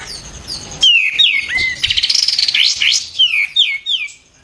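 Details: Loud White-eared bulbul phrases from a training recording for songbirds: falling whistles, a quick stuttering trill, then a series of three descending slurred notes.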